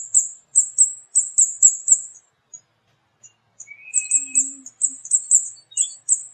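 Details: High, thin 'cit cit' notes from a flowerpecker, locally burung cabai, delivered in two quick bursts separated by a quiet stretch with a few faint ticks and a brief lower tone.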